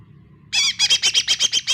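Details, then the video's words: Lesser green leafbird song used as a lure to coax a silent, reluctant bird into singing: after a short quiet lead-in, a run of about eight harsh, buzzy notes repeats rapidly, each with a ringing tonal core. "pancingan CUCAK ijo mini BISU susah bunyi"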